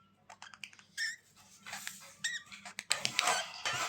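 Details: Budgerigar chatter in a room: soft clicks and short warbled notes, then a louder, harsh rasping burst of squawks near the end.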